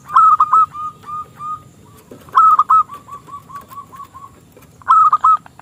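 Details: Local zebra dove in full song with a small, crystal-clear voice, used to lure rival doves into singing; phrases open with loud rolling coos, then a string of softer short coos trailing off, repeated about every two and a half seconds.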